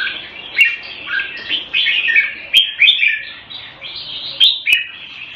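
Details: Singapore cage-kept red-whiskered bulbul, Thai-style keeping, February 2018: cheerful slurred whistles in short rising and dipping phrases, sung steadily with a few sharp tapping clicks in between.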